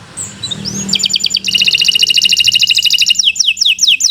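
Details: Kenari Nusantara canary in long gacor song: a few thin rising whistles over faint background noise, then a loud fast buzzy trill and closing descending whistled notes.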